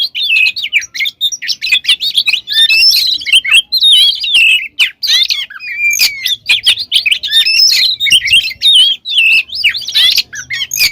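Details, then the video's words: Oriental magpie-robin in full, varied song, used to provoke other magpie-robins into singing: continuous loud rich whistles, trills and harsh chattering notes in quick succession, with sharp clicks throughout. "Suara Burung Kacer Gacor Full Isian, Pancingan Kacer Gacor Agar Cepat Emosi"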